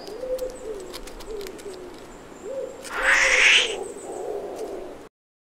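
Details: Black grouse at a spring dawn lek in the uplands bubble in a low, dove-like rookooing, repeated in short phrases, broken once by a loud rising hiss; faint chirps from other birds of the dawn chorus.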